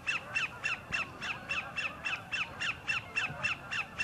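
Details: A sandpiper singing for a mate at the northern end of Horicon Marsh gives a fast, steady series of harsh, ringing notes, about three or four each second, over faint background hiss.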